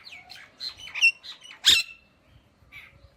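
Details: Indian ringneck parakeet chattering in a quick run of varied chirps and squawks, peaking in one loud harsh shriek, then a softer final note.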